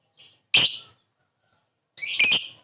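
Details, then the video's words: Lovebird calling as a lure to provoke a quick response: two separate harsh, high, rasping squawks about one and a half seconds apart, the second slightly stuttered, with silence between. "Suara burung Lovebird memanggil di sertai ngetik ngekek pancingan labet cepat respon"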